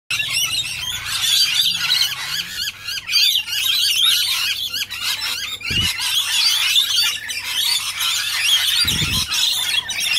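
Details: Many rainbow lorikeets (Trichoglossus moluccanus) feeding at a restaurant on Tamborine Mountain, Gold Coast, Australia, 25 November 2016, screech and chatter at once: a dense continuous wash of shrill, harsh squawks, with a low steady hum and two brief thumps.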